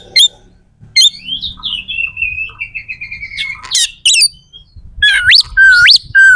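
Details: Oriental magpie-robin song with rough, sharp phrases, used to rouse rival contest birds to fight: a falling whistled run, then loud upswept whistles repeated about twice near the end, over quiet low rumble.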